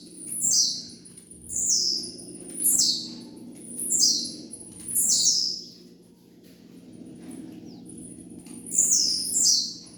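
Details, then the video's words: Tiziu (blue-black grassquit) song used for training birds: short, high, buzzy notes sliding sharply downward, given about once a second with a pause midway, six phrases in all, over a steady low hum. "TREINE SEU TIZIU AGORA MESMO"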